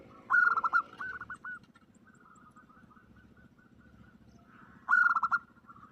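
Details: Female zebra dove calling a male, used as a lure: two loud stuttering, bubbling coo bursts at the start and near the end, with softer repeated coos between them over a low steady hum.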